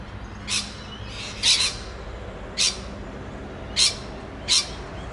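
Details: Rainbow lorikeet chattering with its friends along the Olinda Creek Trail, Montrose, Victoria: five short, harsh, high screeches spaced about a second apart over a quiet background.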